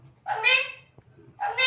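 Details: A pet female parrot, possibly an Alexandrine, speaks two short, nasal, two-syllable words, likely "mithu", about a second apart, each strongly voiced and slightly rising, with a low hum underneath.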